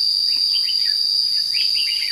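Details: Red-whiskered bulbul at a trapping session in Thanh Liêm, 29 May 2016: short bursts of warbled, rising-and-falling whistled notes in quick succession, partly masked by a loud, steady high cricket drone throughout.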